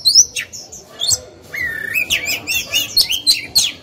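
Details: Caged oriental magpie-robin used as a decoy singer to provoke other birds into singing; varied whistled phrases with a long steady whistle near the middle, then quick rising and falling notes and sharp chirps.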